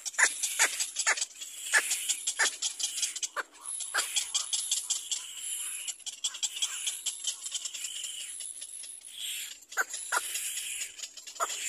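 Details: Baby little black cormorant begging its mother for food. Sharp, downward-sweeping cries open and close the stretch, with a rapid high chatter and steady hiss between them.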